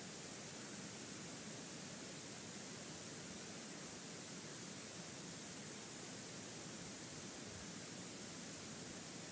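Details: Steady hissing static fills the whole stretch, with no other sound.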